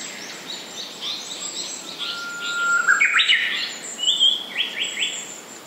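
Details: Japanese paradise flycatcher singing: a long, level whistled note breaks into a loud, harsh buzzy burst, followed by shorter buzzy phrases, over a chorus of high, thin calls from other birds.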